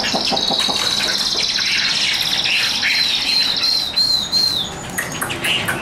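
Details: Newly arrived, not yet fully settled Chinese hwamei (Garrulax canorus) cage bird sings loud, rich whistled phrases, ending in a string of looping, slurred high notes rising and falling, over faint background noise.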